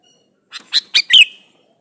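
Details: One phrase from a male sooty-headed bulbul calling to a female: four quick notes growing louder, the last a bright slurred note trailing into a whistle.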